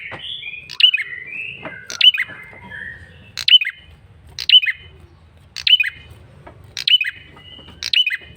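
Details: Male red-headed prinia giving a persistent lure call: sharp, high, downslurred double chirps repeated about every second, with softer whistled notes from another bird in the first three seconds and a low background hum.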